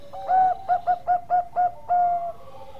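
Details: Zebra dove, Bangkok perkutut strain, singing keenly: an opening coo, five short rounded notes in a quick rhythmic run, then a longer drawn coo and a lower fading tail.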